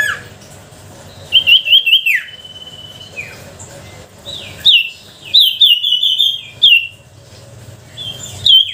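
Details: Lure song of sooty-headed bulbul, meant to provoke reluctant birds into singing; short bright trills and falling glides come in separate bursts between quiet gaps, over faint background hiss.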